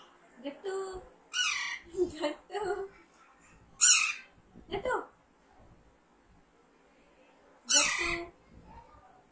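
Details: Harsh, grating squawks from a young captive Alexandrine parakeet come in an irregular series, several close together then a pause, mixed with a person's voice repeating words during a talking-training session.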